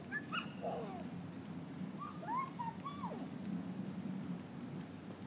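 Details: Parrots in a noisy group give short, harsh, bending calls, some sweeping up and then sharply down, scattered irregularly over five seconds above a steady low rumbling background noise.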